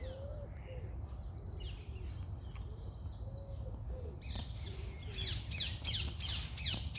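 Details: Morning chorus: high clear whistled phrases and soft low warbles at first, then loud rapid downward-swept chirps repeated in bursts, with steady low rumble underneath.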